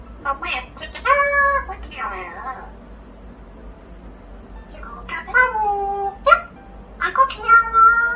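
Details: Chatty pet parrot giving a run of rapid, voice-like syllables with bending tones, then a quiet gap, then more mimicked phrases, some falling and some held level.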